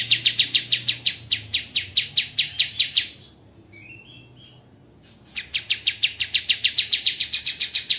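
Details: Tembakan from a white-rumped shama master recording used to train songbirds. Runs of harsh, rapid chips come about four a second, then a pause holds a few soft, lower warbled notes, and the rapid chips resume.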